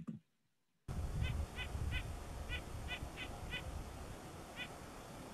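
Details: Red-breasted Nuthatch giving short, nasal, tinny 'yank' calls, shorter than a white-breasted nuthatch's, about eight in a few seconds at an uneven pace, over a low background rumble.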